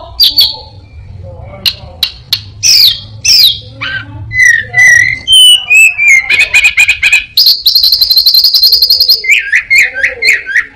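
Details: Caged orange-headed thrush pouring out a mimicry-laden song copying prinia, cat and other birds: sharp chirps, downslurred whistles, then a fast buzzy trill and a run of repeated clipped notes.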